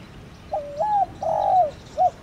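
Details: A single 'thổ đồng' call phrase of a spotted dove, used to stimulate a decoy: a flat low coo, a rising-falling drawn-out purr, then one short soft closing note.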